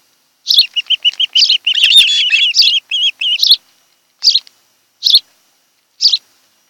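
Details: Nesting ospreys on Kent Island, Maryland, recorded by a nest camera in July 2018 during the afternoon; a string of rapid high whistled chirps swelling into an excited slurred chatter, then fading into isolated sharp ticks.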